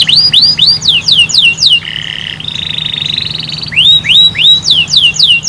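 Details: Canary song played to prompt other canaries to sing: bright, rapid upslurred whistled notes repeated in quick runs, broken by a buzzy, rattling trill in the middle before the fast rising notes resume.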